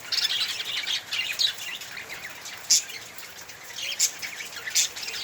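Budgerigars chatter in a steady stream of high, scratchy chirps and warbles during courtship.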